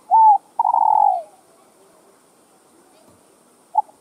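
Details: Spotted dove cooing to stimulate other doves: a smooth arched coo followed by a long trembling, pulsed coo sliding lower, then a pause before the opening note of the next phrase.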